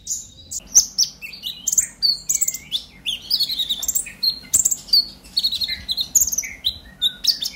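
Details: Purple-throated sunbird in lively, excited chattering song, used as a lure to get other sunbirds singing; rapid high, thin chirps and short down-slurred whistles tumble almost continuously with brief pauses.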